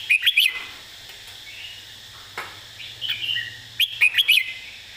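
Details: Red-whiskered bulbul singing a master-song style with clearly phrased, emphasized notes: a quick burst of bright chirped whistles opens, softer warbles follow mid-clip, then another rapid cluster of sharp notes, over a steady low hum.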